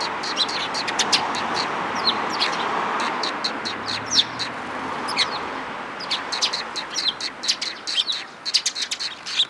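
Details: Several sparrows arriving to be fed, 11 April 2022, en route: near-continuous overlapping high chirps and tweets, thicker at the start and again toward the close, over a steady hiss of outdoor background noise.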